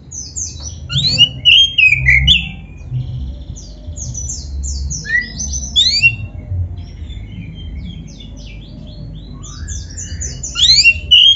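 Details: Oriental magpie-robin (black-breasted kacer) song used to set other magpie-robins singing: scattered high, rapid chirps and short slurred whistles in bursts, with a steady low rumbling hum beneath.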